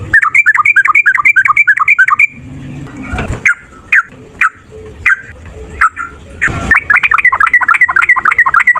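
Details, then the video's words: Yellow-vented bulbul, a fighting male used as a prompt so other birds start singing. A burst of rapid, looping chatter gives way to scattered single notes amid noisy rustling. The fast bubbly chattering then returns. "Trucukan gacor TARUNG ROPEL PANJANG pancingan trucukan agar bunyi jadikan burung trucuk NYAUT"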